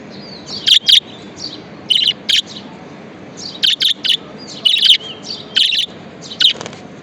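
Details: Pet budgerigar kept as a happy companion bird, giving short bright chirps in clusters of two or three, sharp harsh notes with some softer warbled sounds between, pauses of about a second.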